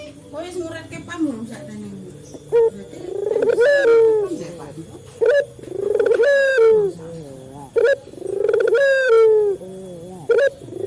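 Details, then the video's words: Male Barbary dove, local type, used as a calling lure for caged doves. A muddled, softer opening gives way to three clear cycles of clipped notes, a rolling rise, and a long level-to-falling coo. "Suara burung puter jantan"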